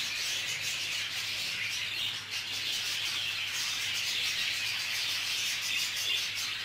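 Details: Budgerigar clash in a group aviary, fast, dense chirps and squawks layered into a continuous bright chatter over a low hum.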